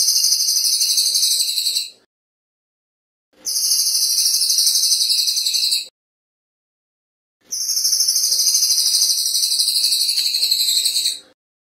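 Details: Velvet-fronted nuthatch (Sitta frontalis) song: three bursts of a very fast, tight, high-pitched trill, each lasting two to four seconds, with short silences between.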